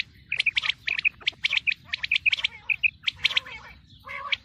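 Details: Common quail, female calling, recorded for the coming wheat season: rapid run of clipped chirps and short whistled notes, closely spaced, then a harsher burst near the end.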